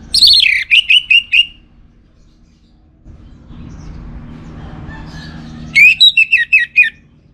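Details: Orange-headed thrush (anis merah) singing a lure phrase twice: each phrase is a loud falling whistle, then a string of four or five sharp repeated notes, separated by a few seconds of low rumbling noise.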